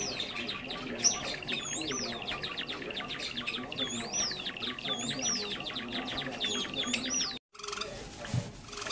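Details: Java sparrows in a lure recording for trapping: continuous chirping from many birds with regular arched whistles for about seven seconds, then a brief cutout and quieter chatter.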